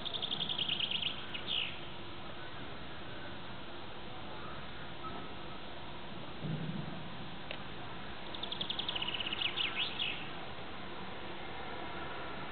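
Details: European greenfinch giving its spring mating song, recorded from an apartment-block stairwell window: two bursts of fast, repeated twittering trills about eight seconds apart, over steady background hiss and a low rumble.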